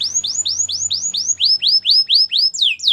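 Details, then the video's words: Training song of a Belgian canary: a tour of about a dozen identical upward-sweeping whistled notes, roughly four per second, closing with two descending slurs. "Canary songs for training | Belgian canary singing"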